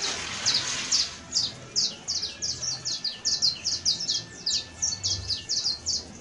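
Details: Saffron finch (Sicalis flaveola) singing a fast run of bright, high chips and short buzzy notes, two or three per second, over a faint low hum.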